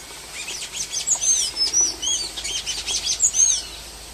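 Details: Golden-chevroned tanager singing free in the wild: a rapid run of thin, high, squeaky notes with sharp upward and downward slurs in quick bursts over faint background hiss.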